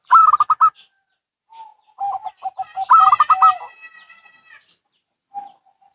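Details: Local and Bangkok zebra doves calling back and forth: loud, fast rattling coo bursts alternate with lower, softer staccato notes, one long rolling phrase trailing off, then a single faint coo.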